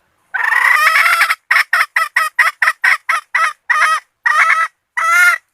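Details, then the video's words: Red junglefowl hen used to lure males into range cackles excitedly: a long harsh opening note, then a rapid string of short raspy clucks slowing into longer drawn notes at the end. "Poj qaim qum seev thiab dim tuaj zoo heev ( Gà Rừng Mái Làm Mồi Chuộn)"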